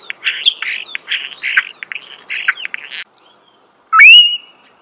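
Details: Starling heard up close giving a string of buzzy, grating notes and high thin whistles for about three seconds. After a brief silence comes one loud rising-then-level whistle.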